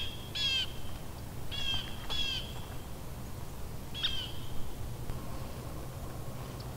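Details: Scissor-tailed Flycatcher, an uncommon visitor to New Jersey, at Edwin B. Forsythe National Wildlife Refuge in November 2015, giving four short, harsh, stuttering calls at irregular intervals over a low steady background hum.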